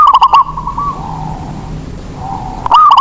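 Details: Local Indonesian zebra dove used as a lure bird to prompt other doves to sing: a quick burst of stuttering, mid-pitched cooing notes opens and closes the moment, with a quiet stretch of soft murmuring in between.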